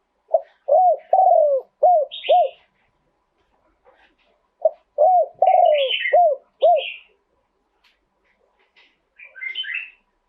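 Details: Live Spotted dove song in 'throw two kuk' phrasing. Two coo sequences each combine short round hoots with one lengthened falling note. Brief high twittering from other birds sounds between and after them.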